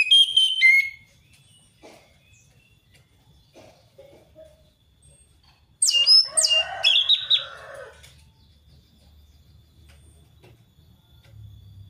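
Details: Captive orange-headed thrush in a loud, open forest-style song meant to coax another thrush into singing: a brief bright phrase, a long near-silent gap, then a two-second tumble of varied whistled and chattering notes.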